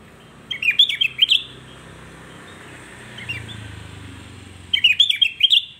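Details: Sooty-headed bulbul singing to provoke other bulbuls: two bubbly, chirping phrases of quick rising and falling notes, each under a second long and about four seconds apart, over a faint low rumble.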